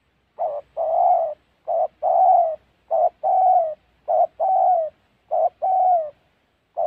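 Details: Repeated coos of a spotted dove used in trapping in the Gia Lai forests of Vietnam's Central Highlands: a brief note then a longer, mellow, gently sagging one, about six pairs steadily spaced a little over a second apart, with no other sounds.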